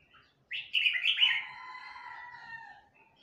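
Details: Young red-whiskered bulbul from Huế practising its song: a sudden bright chattering burst, then long drawn-out tones with stacked overtones, slowly falling and fading over about two seconds.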